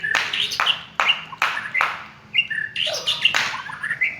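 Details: Village-type white-rumped shama singing as a lure to provoke rival birds: rapid run of sharp, bright whistles and clicks repeated about every half second, followed by varied warbled phrases.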